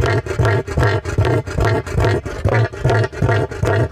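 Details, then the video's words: A wild cassowary roars, giving deep, rumbling booms in rapid pulses, about two or three a second, with a rough, throaty edge and little high-pitched sound. "Cassowary Sounds Cassowary Roar"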